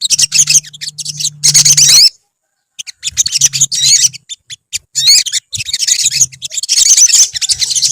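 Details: Olive-backed sunbirds in a colony give dense, high, thin chirps and twitters in bursts, with a short silent gap near two seconds and a faint low steady hum beneath.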